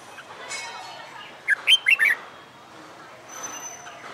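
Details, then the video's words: Red-whiskered bulbul, caged after capture and trained to sing fighting song, delivers a single brisk phrase of four clear whistled notes, bouncing up and down, amid low background rustle. "Luyện Chào Mào Hót Đấu/ chào mào bổi ra giọng sau tháng lồng tay mới/ chào mào luyện hót đấu đầu tay"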